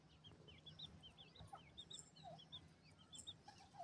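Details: Grey francolin (teetar) chicks feeding with their family; rapid series of thin, high rising peeps repeated many times per second, a few lower notes, steady low hum underneath.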